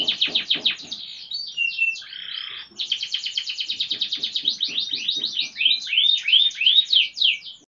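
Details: Gacor canary singing nonstop: fast rattling trills shift into a short buzzy note, then run into rolling trills and looping whistled slurs repeated quickly toward the end, with nothing else heard.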